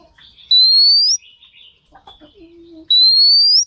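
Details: Female Oriental magpie-robin, played to stimulate males, utters a rising pure whistle, then a pause holding soft low chirps and a short steady lower tone, before the same upslurred whistle returns.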